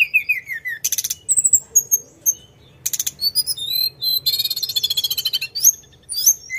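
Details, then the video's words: Sunda robin (tledekan gunung) singing continuously: a descending series of whistles, buzzy rattling bursts, thin sustained high notes, then a dense chattering trill ending with upslurred whistles. "Kicauan Tledekan gunung full gacor ngeroll"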